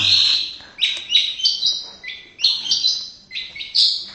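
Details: Indonesian white-rumped shama singing varied whistled notes that step up and down in pitch, phrases bunched in short bursts with slight gaps.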